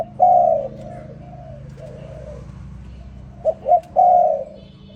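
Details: Spotted dove in the morning giving soft, hollow coos: a long low coo and trailing quieter notes, then a full phrase of two quick short notes leading into a drawn-out coo, over a faint steady hum.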